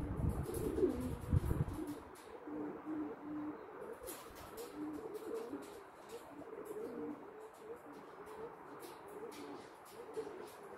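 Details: Blue pied cock pigeon, recorded 24 April 2022, giving repeated low, throaty coos in a steady rolling series, with soft clicks and rustles throughout.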